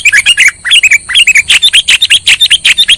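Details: Sooty-headed bulbul lure call used for trapping birds: rapid series of short, bright chirped notes with quick rising and falling inflections, about two to three per second, loud and clear with little background.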